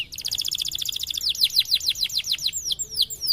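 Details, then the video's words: Song of a white canary used for tutoring: a fast, even buzzy trill flows into a series of slower steep falling whistled notes, the last ones drawn out. "Kenari Putih Gacor Cengkok Keren Untuk Masteran || best canary singing"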